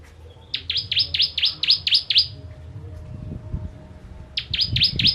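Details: Ciblek Kristal bar-winged prinia, song style called 'tembakan pedas', kept for training contest birds: a quick burst of seven high, down-slurred chips, a pause with low rumbling and knocking, then a new burst of five chips.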